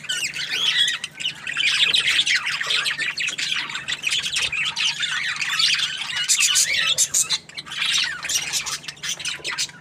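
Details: Cheerful budgie chattering steadily, a nonstop flow of high warbled twitters, looping whistles and scratchy squeaks, slightly louder in the middle.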